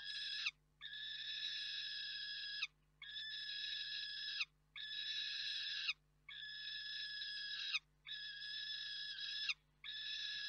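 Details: Juvenile female peregrine falcon screaming at an adult bird while settling to roost at Reda, Poland, on 3 June 2023: six long, harsh, even screeches, each lasting over a second, with brief gaps between them.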